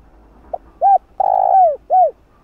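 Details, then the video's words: Calling coo of a spotted dove for luring and training a decoy: a soft pip, then a short coo, a long falling coo, and a finishing coo, delivered as one crisp phrase in quiet surroundings. "Cu gáy GÁY GỌI"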